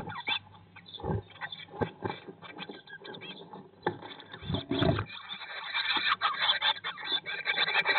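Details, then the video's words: Blue tits in their nest box on day 19 after hatching, 2022; irregular scratchy calls broken by loud low bumps and rustles, building into steady dense chatter in the final seconds. "Blåmeisen i fuglekassen - Dag 19/ Bluetit in the nest box - Day 19"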